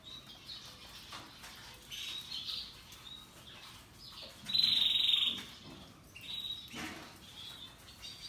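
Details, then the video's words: Russian yellow and Timbrado canaries singing: soft scattered twittering behind a loud, sustained rattling trill of about half a second in the middle, then faint chirps. "RELAXING Canaries Paradise Song Sound"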